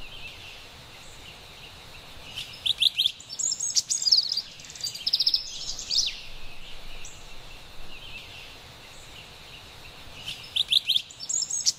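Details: Carolina wren singing in an autumn forest: loud, rapid bursts of high, rolling repeated notes, delivered in short phrases a few seconds apart, between quieter stretches of soft forest ambience.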